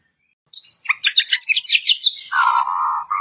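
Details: Varied song of a white-crowned shama for training other birds, a fast series of sharp high chattering notes sliding down into a steady, lower, buzzy repeated phrase.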